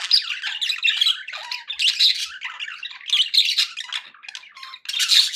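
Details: Several pet budgerigars chirping happily indoors: dense, scratchy warbling chatter with squawky bursts and short whistled notes, continuous with brief gaps, filling the room with overlapping voices.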